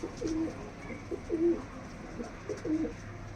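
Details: Punjabi Malwai pigeons, a domestic breed kept in Canning, South 24 Parganas, West Bengal, India, giving low, soft coos in short phrases of a few notes, spaced irregularly, with a steady low hum in the background.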